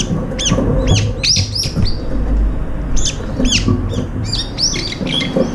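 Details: Up to five brown-eared bulbuls crowd in for a long-awaited morning feed, sharing food and then squabbling, pecking rivals and flying up in a fight; sharp, arched squeaky calls come in quick bursts over a low rumbling background.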